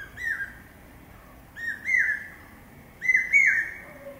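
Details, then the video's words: Common hawk-cuckoo, the brain fever bird, giving three loud whistled "pi-peeah" phrases, each two or three slurred notes, about one and a half seconds apart, each louder than the last, over quiet background hiss. "Common Hawk-Cuckoo calling...pi-peeah...pi-peeah...pi-peeah... (പേക്കുയിൽ കിഴക്കേ വാ....)"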